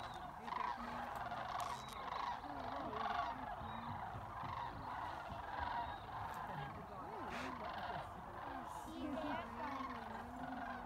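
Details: Sandhill cranes at Jasper Pulaski: a dense chorus of many cranes, with rolling, rattling trumpeting calls overlapping continuously. Bugling pulses rise and fall throughout, with no pause between callers.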